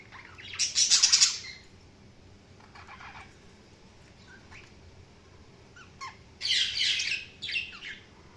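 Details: Chirping budgies: a loud, buzzy chattering burst opens, then scattered quieter chirps and short clicks, and a second strong harsh chatter phrase with a brief follow-up near the end.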